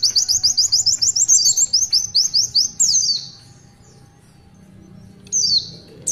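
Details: Long tulitwitwit song by an Oriental white-eye in full voice. A brisk trill of high, clipped chirps turns into downslurred whistles, then near silence with one falling whistle near the end.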